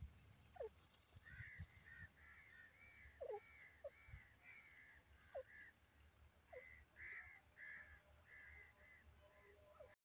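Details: Francolin (teetar) call used to lure francolins: a steady series of harsh, arched, ringing notes repeated roughly every half second, with lower short chirps between them and a faint background hum.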